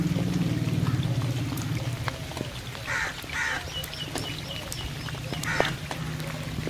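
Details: Crow calling during rain: two hoarse caws close together, then a single caw a couple of seconds later, over a background of rain patter and a low rumbling hum.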